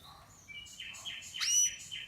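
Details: Canary chirping with a short run of repeated high buzzy notes, a thin whistle and one louder rising note in the middle.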